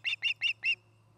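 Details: From a nest camera in Charlo, Montana, an Osprey pair's nest gives four loud, piercing whistled chirps, the last slightly drawn out, followed by quiet with a faint steady low hum.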